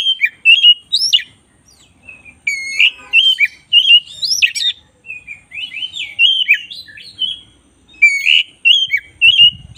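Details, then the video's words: Black-breasted Oriental magpie-robin singing persistently, recorded as a tutor song for training other birds: fast run of bright whistled notes, upslurs and short trills, tightly packed phrases with brief pauses, clean background. "masteran kacer dada hitam GACOR"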